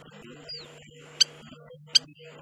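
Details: Spur-winged lapwing (Vanellus spinosus) in the Agamon Hula wetlands, Upper Galilee, Israel, gives two sharp, high metallic notes about 0.75 seconds apart, over a steady low hum and faint background chatter.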